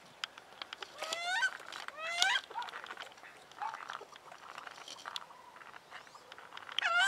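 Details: Angry female wood duck, moved to another pond in winter, gives two upward-sweeping squealing whistles close together. Softer duck calls and scattered clicks follow, then another rising squeal at the end.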